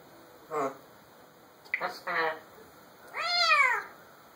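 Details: Male African grey parrot, a pet alone indoors and filmed on a phone, imitating a cat: several short nasal meows, ending with a longer, arching, cat-like meow.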